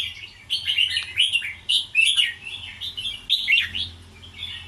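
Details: Red-whiskered bulbul in double-rik scattered singing style: bright, rising and falling whistled notes in short ringing phrases, delivered rapidly one after another, with a soft low background hum.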